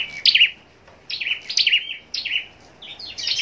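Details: Scarlet-backed flowerpecker in a cage, bred for singing contests in Long Thành, Vietnam, sings brisk groups of high, dry chips, each burst about a second apart.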